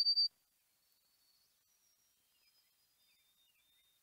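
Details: A White-throated Sparrow's faint "poor Sam Peabody Peabody Peabody" song of clear, pure whistles, held high notes followed by a few lower steady ones, after a short sharp click at the start.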